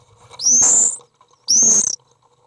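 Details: Common swift begging calls at a nest box on 18 June 2011 as a parent feeds a young: two shrill, high, buzzy screeches, each about half a second long, quick rise then holding steady, a second apart.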